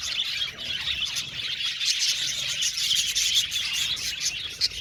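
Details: Budgerigars chirping together in an aviary, a steady dense chorus of high twitters and short whistled squeaks, with a sharp louder note near the end.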